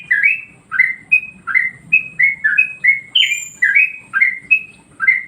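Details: Song of a yellow-vented bulbul, used as a master recording to train other birds: loud, liquid whistled notes in a bouncing rhythm, about three per second, with one thin high whistle near the middle.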